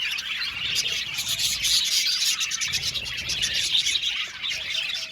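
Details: Budgie colony in an aviary, Australian parakeets giving a steady stream of quick bright chirps and warbles from many birds at once, with a faint low hum beneath.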